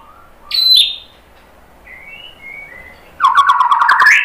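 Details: White-rumped shama song for provoking fighting males: a single loud sharp falling note, faint soft whistles, then a sudden harsh buzzy rattling trill.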